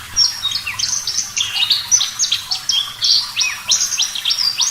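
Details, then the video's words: Javan bush lark in clear, lively full song, used as a training recording for caged birds: rapid varied chirps, slurred whistles and trills high in pitch, phrases running almost continuously with brief gaps. "Masteran Branjangan Parva Gacor Suara Jernih"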